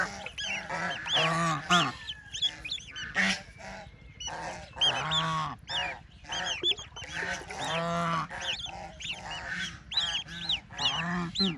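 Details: Baby ducks playing in water keep up a nearly continuous chorus of sharp arched peeps and rougher honks, coming in rapid pulses with brief pauses.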